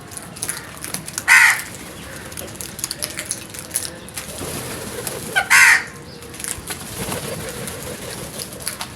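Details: Frightened crows giving loud alarm caws: two harsh, hoarse calls about four seconds apart, each a short burst, over steady background hiss and faint distant noise.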